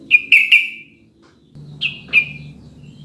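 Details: Sooty-headed bulbul song played to prompt caged birds to start singing: two short bursts of bright, fluty notes, three quick whistles and then a pair after a pause, over a low steady hum.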